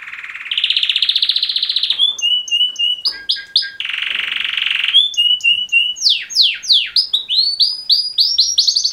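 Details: Song of two male canaries, given as a mating call: a loud sustained buzzy trill, short whistled notes, another rolling trill, then quick downslurred and rising whistles.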